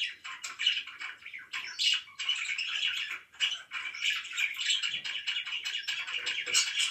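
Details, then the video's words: Pet budgies chirping at morning time: steady scratchy warbling chatter with quick clicks and squeaks, briefly dropping quiet before resuming just as busily. "CHIRPING IN THE MORNING"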